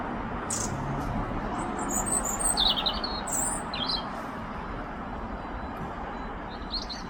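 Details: European robin singing in London: brief, thin, high warbled phrases with pauses between, faint above a constant low traffic rumble.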